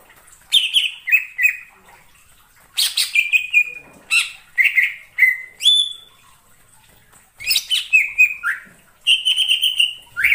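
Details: Greater green leafbird in the wild forest, repeating groups of loud downslurred and looping whistles with sharp high notes, phrases spaced by short gaps over ten seconds.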